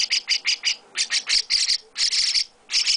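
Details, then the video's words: Hand-fed young chestnut-cheeked starling with its owner, uttering harsh, buzzy high chirps in tight groups of two to four, about ninety a minute, with brief gaps of silence. "Chestnut-Cheeked Starling baby mukudori carinho"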